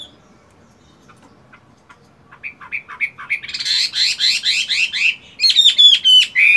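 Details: Caged Chinese hwamei in moult doing morning voice practice: starts quiet, then a dense run of rising whistled slurs builds in loudness, ending in rapid sharp high notes and a long descending whistle.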